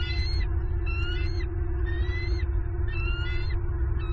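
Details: Bald eagle female at a Southwest Florida nest, late November 2022, screaming to claim prey her mate brought in. Four drawn-out, thin whistled notes with upward-sliding tones, spaced about a second apart, over a low droning hum and wind.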